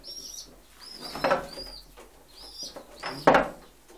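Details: Homing pigeons give clear, high, slightly rising-then-falling whistled peeps in short series, with two loud wing-clap bursts between them and a quiet background.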